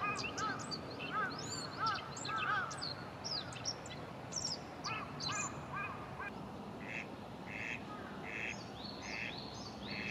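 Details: On a cloudy, cool 24 April 2022, an Eastern spot-billed duck gives a run of nasal quacks in the first half, with other birds' short calls and a steady background hiss.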